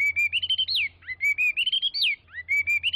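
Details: Chinese hwamei pouring out long, flowing warbled phrases of rising and falling whistles, each building to a high downslurred note before a short break, over a steady faint hum.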